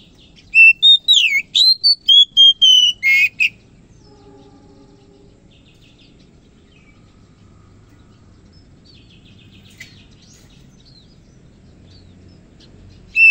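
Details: Oriental magpie-robin singing in the morning: a burst of loud, clear whistled phrases around three and a half seconds long, with sliding and falling notes and a few buzzy notes, then near silence with faint distant chirps and a final whistle.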